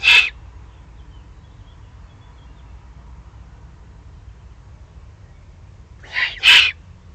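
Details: Excited juvenile Eurasian eagle-owls, Eifel, 21 June 2020. One harsh, wheezy screech at the start, then after a long pause a quick pair of rasping hisses, the second stronger, over a quiet low hum.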